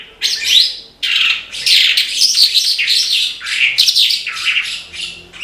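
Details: Branjangan (Australasian bush lark) in full, vigorous song: nearly continuous high, rapid chattering and buzzy notes in pulsing phrases, about one and a half pulses per second, after a brief opening burst.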